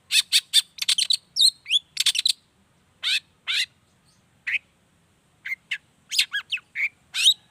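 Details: Long-tailed shrike singing to set off other shrikes; dense bursts of grating chatter mixed with slurred whistled notes, broken by short pauses, then renewed fast scratchy phrases.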